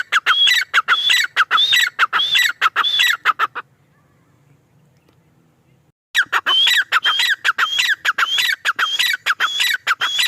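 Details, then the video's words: Male grey francolin calling in loud repeated phrases of high whistled and falling notes, broken by a silent stretch of over two seconds before the same rhythmic calling starts again. "Teetar ki awaaz | teetar sound | teetar ki boli | male tetar sound"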